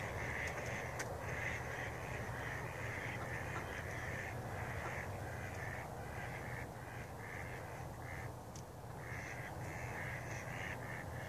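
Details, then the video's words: Morning ducks on a pond give a fast run of harsh, nasal quacks in clustered bursts, some overlapping, over a steady low rumble and hum. "Morning quackers"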